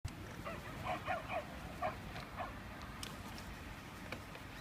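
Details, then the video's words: A group of crows at the seaside in Devon give five or six short, harsh, nasal caws over about two seconds, then faint clicks, over steady wind or surf noise. "Funny Crow Sounds"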